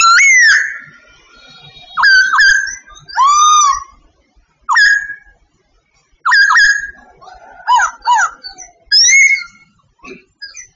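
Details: Sooty babbler of Vietnam in song: a run of loud, ringing whistled phrases, some arching, some short and sharp, separated by brief pauses.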